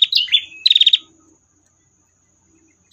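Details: Female prinia in a long-trill tutor recording: a few sharp high chips, then a quick burst of rapid, evenly spaced high notes lasting under half a second, followed by silence and one more high note at the end.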